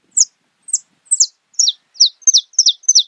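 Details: Song of a saffron finch, a steady series of high, sharp down-slurred chirps repeated about three times a second, growing slightly in strength, with no other sounds.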